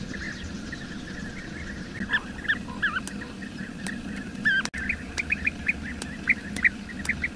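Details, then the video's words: Wild bee-eater calls: short rolling trilled notes repeated irregularly, partly overlapping as if from several birds, over a steady low rumble of background noise with a sharp click midway. "MASTERAN SUARA BURUNG KICAU"Bee-Eater"(Kicau Mania)Gacor di alam liar."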